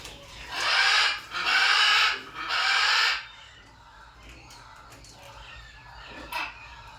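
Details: Macaw giving three loud, harsh, raspy squawks in quick succession, each close to a second long, followed by several seconds of quieter background noise with faint scattered chirps and one brief sharp sound.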